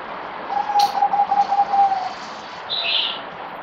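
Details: Kept zebra dove (merbok), fourth day of deworming, 17 April 2020, giving a rapid stuttering coo phrase about a second and a half long, with a brief click and a higher chirping note from another bird afterwards.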